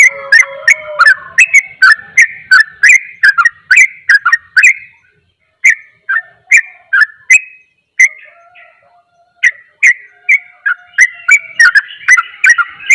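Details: Sooty-headed bulbul giving its rapid 'ropel' song, said to stir up and agitate other bulbuls: fast bursts of short, bright, fluty notes in chattering runs, briefly pausing midway before resuming, each note accompanied by a sharp click.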